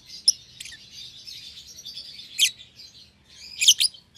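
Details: Young caged pair of lovebirds, a euwing green opaline and a red-eyed albino, kept in a cage for one pair; soft continuous high twittering with a few sharp loud chirps, notably a cluster near the end.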